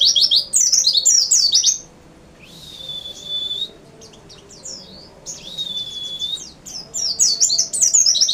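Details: White-eye (pleci) singing: bursts of rapid, very high twittering notes that open and close the clip, broken by two long, level, thin whistles in the middle, each held for about a second.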